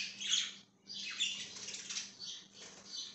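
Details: Pet budgie chirping indoors, 5/10/2023: a few harsh, buzzy squawking notes and scratchy chatter, fairly quiet, over a low steady hum.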